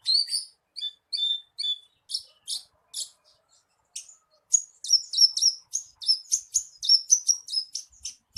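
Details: Branjangan lure song to start a captive Horsfield's bush lark singing: spaced paired chirps, then a brief pause, then a quick rolling run of high buzzy notes.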